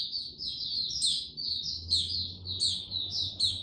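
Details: Male white-eye gaining confidence ahead of full song, 6 March 2022: a busy high twittering chatter of short, tumbling notes, punctuated by piercing rising squeaks about every 0.7 seconds, over a faint low hum.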